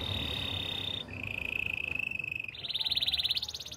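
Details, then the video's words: A Belgian canary's powerful training song in three rolled phrases, one after another: a high steady whistle, a lower rapid trill, then a very fast, bright, rattling roll. "Belgian canary's most powerful song"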